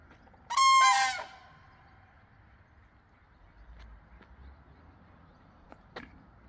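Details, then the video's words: Common crane calling in the field near Hochwald, East Prussia: a single loud, rich, trumpeting call with strong harmonics lasting under a second, then quiet background with faint clicks and low rumble. "That is a common crane."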